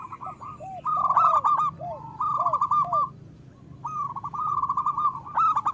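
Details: Loud local zebra dove song intended to stimulate other doves. Soft, low arched coos lead into bright, bubbling rolled phrases that recur after a brief lull.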